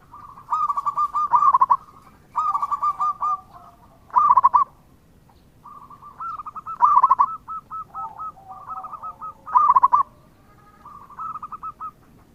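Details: Lively local zebra dove song used to coax replies from other doves. Quick runs of clipped, bubbling coos come in phrases every couple of seconds, some trailing into longer rolling series, with quieter low coos between the bursts.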